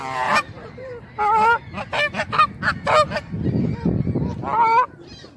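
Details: Canada geese honking, apparently annoyed at being photographed: a rapid run of nasal honks with strong harmonics, some overlapping, and a low rumbling noise in the middle.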